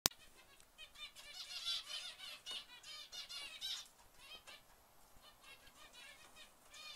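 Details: A white zebra finch, filmed in 2011, gives a series of soft, nasal, buzzy notes with a ringing quality, clustered in the first few seconds, then sparser quiet chirps over faint background hiss.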